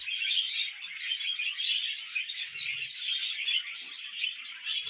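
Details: Pet budgerigars chirping and warbling together, bright squeaky notes pulsing roughly twice a second over a steady scratchy chatter, with faint low knocking midway.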